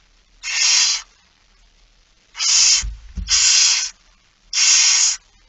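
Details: Barn owl begging during feeding, 13 September 2019, 06:57. Four harsh hissing bursts, two of them nearly back to back, with a short scraping knock between them.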